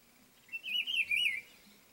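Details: Rufous-browed peppershrike singing from an ipê tree to mark its territory: one short, rich warbled whistle phrase lasting under a second, rolling up and down, over a quiet background.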